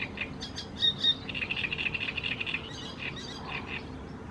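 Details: Great reed warbler song from Croatia: loud, rasping chatter opening with a couple of strong creaky notes, followed by a long rapid burst of harsh syllables and then scattered, fading churrs.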